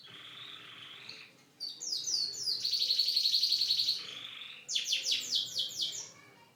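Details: Singing pet canary: a soft warbling start, then a sharp fast metallic trill held steadily for over a second, followed by a loud descending series of quick repeated notes.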